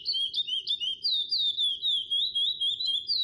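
A chestnut-bellied seed finch sings a fast, unbroken run of clear, sliding whistles, rising and falling in a flowing warble, over a faint low hum.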